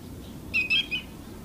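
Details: Stilt sandpiper calling in Delta on Friday, 28 July: three short, bright notes in quick succession, the middle one longest, over a faint low background rumble.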